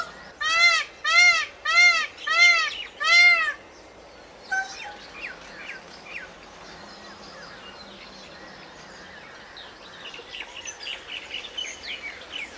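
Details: Peacock screaming five times in a fast, even series of arched, ringing wails, followed by quiet with faint chirps of small birds in the background.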